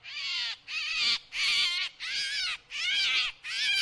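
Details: Drongo lure sound: six loud, grating, buzzy calls of about half a second each, repeated in a steady, slightly uneven rhythm with brief silences between them.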